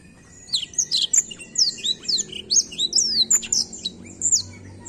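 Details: Black-throat delivering a steady run of high, bright chirps and curved whistles, note after note with short gaps, over a low hum.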